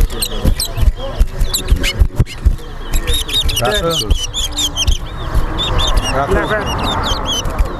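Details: Singing-race towa towa (seed finch) at Bath Settlement, Berbice, Guyana, delivering a long run of looping, buzzy-edged whistles repeated in quick phrases, with spectators chatting and counting in the background.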